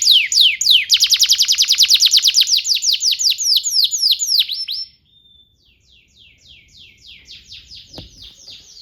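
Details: Canary singing nonstop as a tutor for young birds: a long run of loud, quick downslurred whistles about four per second, a brief pause, then the same notes resume much fainter, with one soft knock.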